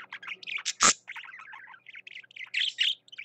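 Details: Male parakeet (budgerigar) singing energetically, a rapid chattering warble of varied chirps, clicks and short whistled notes with a sharp loud click near the start.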